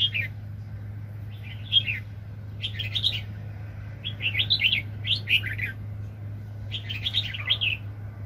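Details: Red-whiskered bulbul, a very aggressive wild bird, recorded during bird trapping in 2020: short warbled, bubbling phrases repeated about every second, against a steady low hum.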